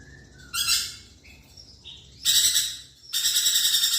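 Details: Lorikeet mixing short thin whistled notes with three loud grating screech bursts, the last held and pulsing rapidly.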